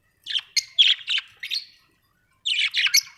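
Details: Domestic budgerigars give a run of quick, raspy chirps and squeaks, fall silent for about a second, then resume with a dense buzzy warble.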